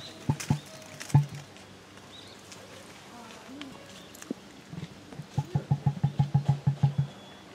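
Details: A female emu at Tama Zoo in January 2023 gives her distinctive female call, deep hollow drumming thumps: a few single booms, then a quick run of about ten low pulses, with a faint background murmur.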